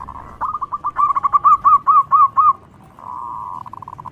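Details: Loud local zebra dove song meant to lure other doves: a rapid accelerating stutter of notes giving way to about seven slower, rounded, rising-falling whistles, then a steady faint tone.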